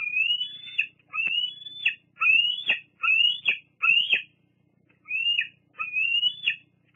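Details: Young bald eagle at Fraser Point squeeing while family members visit the nest, August 2022: a series of high, slurred whistles, each sliding upward before a quick downward break, with brief gaps.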